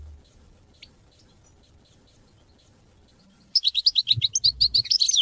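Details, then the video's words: European goldfinch song to teach and motivate hunting and mating: after several seconds of quiet, a fast run of high tinkling twitters begins and continues to the end. "Goldfinch songs to teach and motivate hunting and mating"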